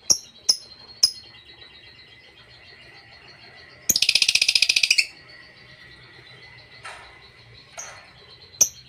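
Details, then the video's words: Lovebird chatter meant to provoke rivals: three sharp high chirps, a quiet stretch with a steady faint whine, then a one-second burst of rapid rattling chatter, followed by scattered chirps. "LOVEBIRD NGETIK UNTUK (TERAPI) pancing emosi lawan"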